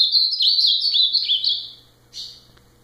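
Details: Ultramarine grosbeak, known as azulão, singing a loud warbled phrase of sliding, slurred whistles that rise and fall, followed after a short pause by a single brief buzzy note.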